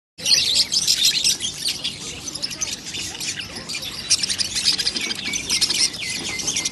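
Budgerigars keep up a busy, high chattering warble of quick chirps and scratchy notes.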